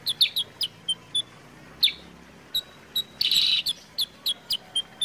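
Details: Sooty-headed bulbul (kutilang sutra), a recording played to get other birds singing: clear, clipped high chirps spaced irregularly, with a short harsh buzzy burst in the middle.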